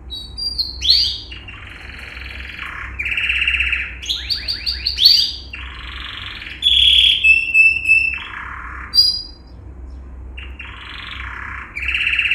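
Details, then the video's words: A yellow male canary delivers a varied training song: buzzy rolls alternate with fast sweeping trills and clear high whistled notes, in phrases separated by short pauses. "Yellow Canary singing video - Serinus canaria - Canary Training Song"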